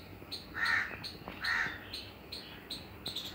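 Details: Two loud, rasping crow caws close together, each lasting under half a second, over a run of quick, thin, high-pitched chips and faint background noise.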